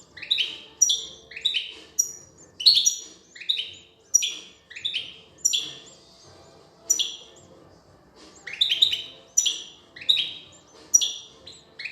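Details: European goldfinch, a female feeding her young; sharp, high chirping notes, each falling quickly in pitch, repeated about every half second in bursts, with a short pause near the middle.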